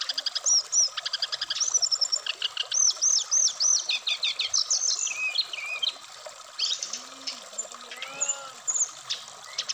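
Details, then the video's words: Black-throated laughingthrush singing, Indonesia, for conditioning caged birds: long string of fast high whistled notes, repeated looping phrases, then quieter scattered whistles with a faint lower sound underneath. "terapi srdc biar cepat bunyi wikplong Dan gacor full variasian"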